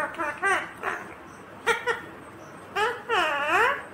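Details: Green Indian ringneck parakeet producing laugh-like and speech-like sounds, with short rising phrases and a longer drawn-out, wavering syllable near the end, all indoors.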